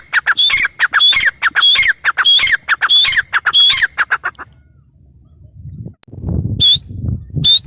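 A grey francolin calls with loud, harsh, ringing notes, about six in a quick rhythm. After a pause with low rumbling noise, it gives two more sharp notes.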